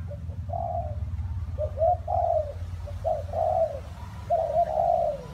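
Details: In rain and wind, a spotted dove repeats soft, hollow coos, short notes leading into longer, slightly falling ones, over a heavy low-pitched rumble of weather noise.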